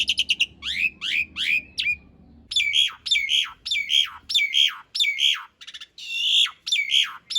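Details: Master song of an Asian pied starling, rough long-roll fill, for cage-bird training: a few fast chattering notes, then a run of loud, repeated harsh downslurred calls at a steady beat of about one and a half per second.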